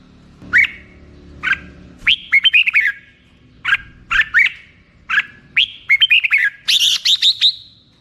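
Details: Song of the Red-whiskered bulbul, with single liquid chirps followed by rapid bubbling whistled phrases, repeated several times over eight seconds and rising to a bright, trilled finish.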